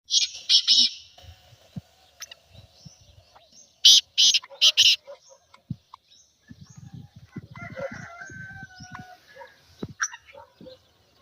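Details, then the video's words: Black francolin calling, used to set other francolins calling: two short bursts of three harsh, loud, grating notes, one at the start and one near four seconds, over faint low rumbling and scattered minor sounds. "اس آواز کو سنتے ہی تیتر مستی سے بولنے لگے گا | Black Teetar Sound"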